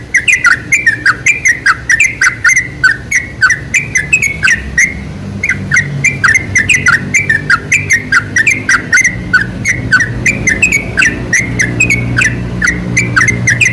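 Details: Sooty-headed bulbul song used as a lure to get bulbuls singing: a long, busy stream of sharp chirps and short slurred whistles with hardly any gaps, over a low steady rumble.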